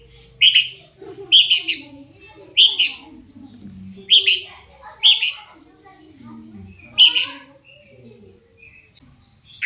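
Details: Long-tailed shrike calling as a lure for other shrikes: loud, harsh squawks in pairs and singles at uneven spacing, with soft low chatter-like sounds underneath.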